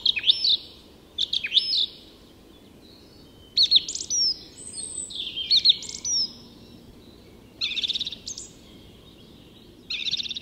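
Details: Song thrush singing at dawn in Tyresta National Park, Sweden: loud, clear phrases of whistles and sharp notes, a new phrase every second or two, over a soft low rumble.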